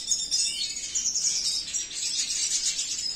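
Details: Captive male red siskin of the cinnamon mutation sings a fast, unbroken high twitter of thin chirps and buzzy trills, running without pause; no other sounds stand out.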